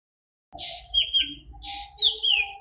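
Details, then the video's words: A nightingale sings two phrases of buzzy bursts and high falling whistles over a steady low hum and faint, thin tones. "Singing nightingale"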